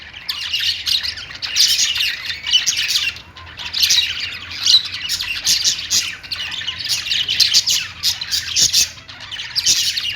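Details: Domestic budgerigars (Australian parrots) warbling together, with loud clusters of sharp, scratchy chirps rising and falling roughly every two seconds, clean of other sounds.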